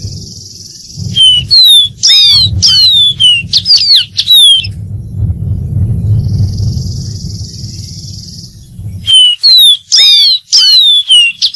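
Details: Dark-throated seedeater song: bursts of loud, clear, high whistled notes, many sliding downward, delivered in quick repeated phrases, with a pause midway, over a low rumbling background and a faint high hiss.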